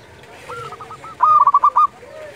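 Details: Dusk call of a local zebra dove: a brief, quickly pulsed, rolling string of about seven coo notes, loud and close, with faint cooing beneath.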